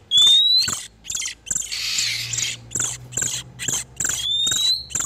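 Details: Male and female oriental magpie-robins in breeding condition, a lure for catching wild ones: sharp rising whistles open and close a run of scratchy, hissing chatter notes.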